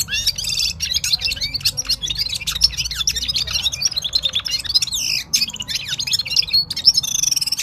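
Himalayan Bulbul song: a busy, unbroken stream of high chirps, twitters and quick slurred whistles with no pause.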